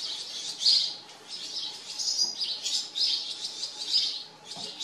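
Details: House sparrows at a farm produce dense, continuous chirping, a run of bright, slightly buzzy notes blending into one another with rises and falls in loudness.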